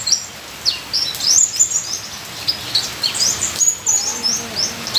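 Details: Ninja sunbird song with full fills for bird training: quick, very high, thin chirps in clusters, with a few faint lower whistles near the end and a hissing rain-like background.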